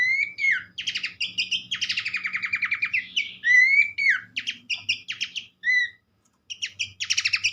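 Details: Horsfield's babbler, a bushland babbler, sings loud whistled downslurs mixed with long rapid rattling trills and short high notes, ending after a brief silence with another buzzy burst; low background hum present.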